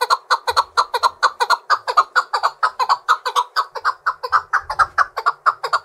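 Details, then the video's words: Captive Chukar partridge, trained to fight, singing to challenge rival partridges: a steady, rapid series of loud, clucking chuk notes, about two per second, evenly repeated throughout with slight variation in emphasis. "Powerful Chukar (chakor) Partridge Singing - صوت حجل بري"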